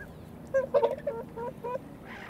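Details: Whooper swans calling in turn at a marsh pond in late February, around 2 pm: a cluster of nasal, trumpeting honks, several overlapping, followed by a few weaker notes against a low background rumble.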